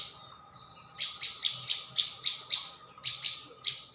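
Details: Prinia, locally called ciang or prenjak bawah, in a lure recording: after a quiet second, a run of nine sharp, high, clipped chirps follows at roughly quarter-second spacing, with a faint low hum beneath.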